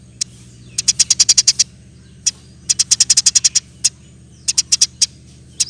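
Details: Eurasian tree sparrow rapid-fire song meant for training caged birds: fast runs of shrill, clipped chirps alternating with single notes and short pauses, over a constant low droning hum.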